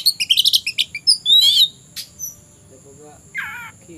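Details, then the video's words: Oriental magpie-robin singing in the afternoon, said to be ready to fight a rival. A rapid burst of high chirped notes leads into a harsh buzzy rattle and a sharp whistle, then a lower warbled phrase after a pause, over faint hum. "KACER SIAP TARUNG CARI LAWAN..!!!"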